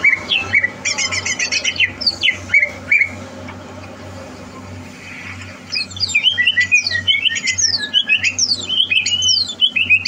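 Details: Greater green leafbird being trained for a singing competition: buzzy trilled phrases at first, a quieter gap, then a burst of sharp, fast descending whistles and chattering notes; steady low hum throughout.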